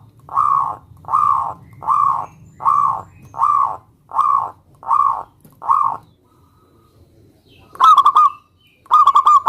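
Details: Zebra dove of local stock calling out to a rival bird to provoke a reply: eight even, mellow coo notes about one every 0.7 seconds, then brief stuttering cooing phrases with a low hum beneath.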